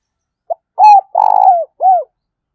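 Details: Spotted dove used as a decoy gives one close, clear phrase: a brief note, an arched coo, a long vibrating coo sliding down, and a final arched coo, with silence around it.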